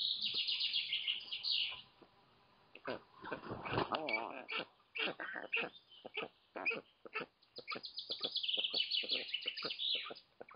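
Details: Black stork at a nest in Lodz, Poland, on 12 June 2018 at 8:52 am, as a parent comes home to feed its chicks; dense high squeaky chirps and rapid clicking notes, with a rougher, louder bout midway.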